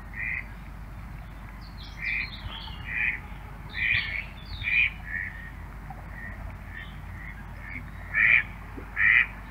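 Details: In Central Russia, a male Mallard (Anas platyrhynchos) gives soft, raspy, nasal calls, about ten short notes in uneven bursts, a few louder near the end, over a quiet low hum.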